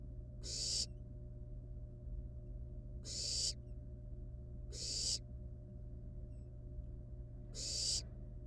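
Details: Wild barn owl young in the nest, where a live rat was delivered and played with before being eaten, give four loud, noisy hissing screeches at uneven gaps of one to three seconds; low steady hum throughout.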